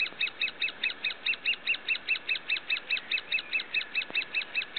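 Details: Great spotted woodpecker (Dendrocopos major) nestlings in the nest, Finnemarka, Buskerud, Norway, 21 June 2009, give an incessant, even chatter of high, squeaky notes, about four each second, with only a faint hiss behind.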